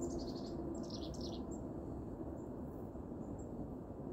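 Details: Wild chickadees being hand-fed in a park in winter chirp from nearby bushes: a quick run of thin, high chirps in the first second and a half, then quiet over a steady low rumble of wind.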